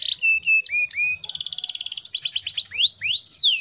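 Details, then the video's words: Female canary in breeding condition luring a male, singing clear whistled notes that dip and level off, a dense fast rattle, quick sweeps, then slow rising glides. "PANCINGAN KENARI BAHAN AGAR CEPAT GACORR"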